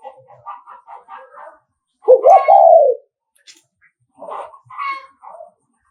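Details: Spotted dove, Nghệ An type, giving a thúc gù coo to lure rival males: a single strong, low coo phrase with stuttering onset and falling tail, framed by softer chirping notes.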